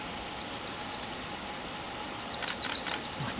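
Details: Marcapata spinetail (Cranioleuca marcapatae), a Peruvian endemic, in Chusquea bamboo in humid montane forest at Abra Malaga, Cusco, Peru, gives two quick bursts of thin, high chips, about five or six notes each, over a steady background hiss.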